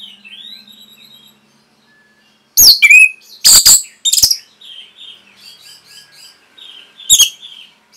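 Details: Orange-headed thrush song as a masteran for training caged birds: quiet wavering whistles, then three loud bursts of sharp, downslurred chirps, more soft twittering phrases and one final sharp note.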